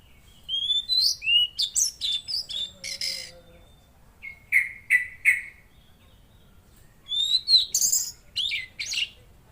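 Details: Velvet-fronted Nuthatch in active song: a run of high, slurred whistles, then three evenly spaced sharp notes, then another rapid cluster of high piping notes.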